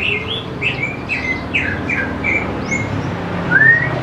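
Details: Greater green leafbird song used as a lure for young birds: a series of short whistled chirps and slurs, ending with a clear long rising whistle, against a faint low hum.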